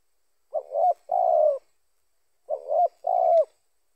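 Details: Spotted dove call, used as a lure for other doves: two couplets, each a wobbling rising coo then a long soft coo dipping at the end, about two seconds apart, in a quiet setting.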